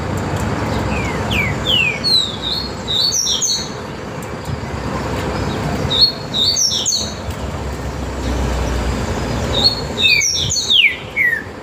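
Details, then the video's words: Great saltator warming up for a singing contest: loud, clear whistled phrases that slide downward, given in three bursts several seconds apart, over steady traffic rumble. "trinca ferro Gavião no esquenta"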